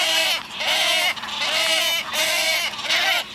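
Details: A new group of wood stork chicks beg their mother for food with harsh, nasal, goat-like bleats, repeated in bursts of about half a second, several voices seeming to overlap.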